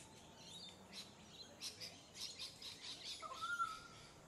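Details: Pied currawong on Queensland's Sunshine Coast in October: a series of soft chirps and rustles builds, then one loud clear whistled note rises and holds near the end.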